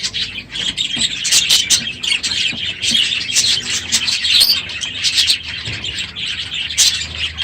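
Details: Budgerigars filling an aviary at the end of the breeding season, very loud in the morning; dense flock chatter of sharp chirps, squeaks and warbles, with a few piercing calls rising above.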